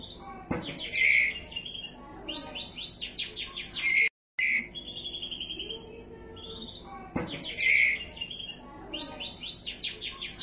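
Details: Two-week-old white-rumped shama chick calling in bursts of rapid, repeated chirpy notes that sweep up and down, with one short break partway through.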